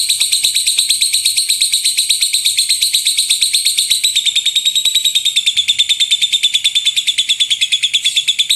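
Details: Lovebird delivering a loud rolling 'gemuruh tembakan' (thundering shot) song, used as a master recording to teach other birds; a dense, continuous stream of very high, rapid chirps lasting the whole stretch.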